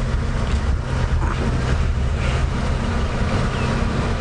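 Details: Steady vehicle engine rumble and wind buffeting the microphone on an early morning safari drive, with no animal voices heard.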